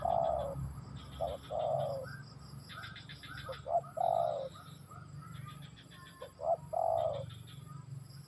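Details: Cooing of a spotted dove: repeated phrases of short hoots and a long mellow coo, about every two to three seconds, with bursts of fast ticking chirps from another bird and a low hum.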